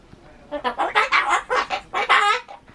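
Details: A pet Ducorps's cockatoo, talking, chatters a rapid string of about eight hoarse, speech-like syllables rising and falling like "bye-bye", repeating its usual looping chatter and trying to say bye-bye.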